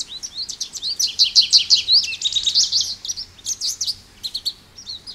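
An American goldfinch sings a fast, rambling run of high twittering notes and bright chirps, varied and continuous, with a faint low hum underneath.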